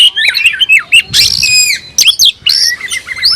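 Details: Oriental magpie-robin in full song while seeking a rival, a kept bird: bright whistled notes mixed with harsh, buzzy rasping bursts and quick slurred phrases, delivered continuously with brief gaps.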